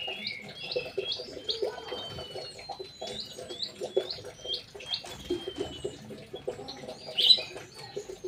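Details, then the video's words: Sooty-headed bulbul singing in an aviary: short, clear whistled phrases and slurred notes at a fairly high pitch, with soft low cooing and other scattered bird chatter underneath. "KICAU BURUNG TRUCUK DI DALAM AVIARY"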